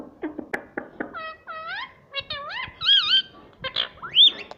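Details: Pet green ring-necked parrot indoors in a small room, talking and mimicking speech: harmonic, swooping word-like syllables with rising and falling tones, mixed with clicks and short squawks.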